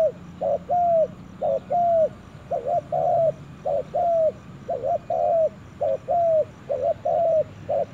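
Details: Spotted dove in a forest, cooing steadily: phrases of two short coos and a longer drawn-out coo repeated without pause, roughly one note a second, with faint chirps of other small birds behind.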